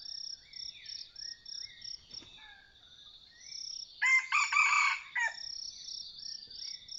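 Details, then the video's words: Red junglefowl of the Sai Wiang line, recorded during decoy hunting: one loud, harsh, broken crow of about a second rises out of a steady high insect drone, with scattered thin whistled calls from other birds before and after. "ต่อไก่เถื่อน.ไก่ป่าสายเวียน. ( ໄກ່ເຖື່ອນສາຍວຽນ )"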